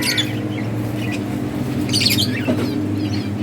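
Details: Budgies in a breeding colony chirp and squawk during play: harsh scratchy bursts and quick twitters in short clusters, over a steady low-pitched hum.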